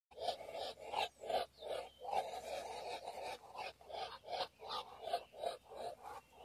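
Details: Two Muscovy drakes competing for the same female give breathy, raspy huffs and hisses, nearly three a second in uneven bursts; no other sounds stand out.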